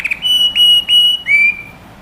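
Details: Canary song phrase used to train young birds: several pure, level whistled notes held about a quarter second each, the last one starting lower and rising slightly.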